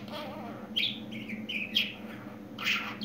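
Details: Talking pet budgerigar indoors: a low murmured warble, then a series of bright whistled and buzzy notes falling in pitch, ending in a harsh rasping chirp, over a faint hum.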